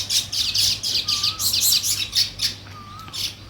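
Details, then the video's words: Weaver birds building a nest, giving rapid high chirps in a steady chattering series about three to four per second, with a soft low whistle heard twice in the background. "Sparrow Chirping Sounds, |Weaver Birds Building Nest"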